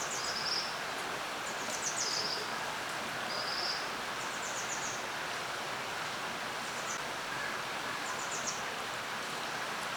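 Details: Common kingfisher (Alcedo atthis) giving thin, shrill, very high whistles in short bursts every second or two over the steady rush of a valley stream.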